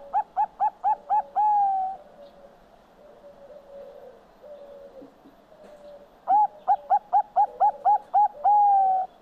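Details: Singing Bangkok-type zebra dove, or perkutut: two phrases, each a rapid string of six to seven short ringing coos closing on a sustained, slightly rising long coo, separated by roughly four seconds of faint background hum.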